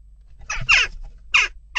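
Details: Unrest at a jackdaw nest box: a burst of three loud, rasping calls, two close together and a third after a brief gap, with another starting at the end, all sharp and broadband.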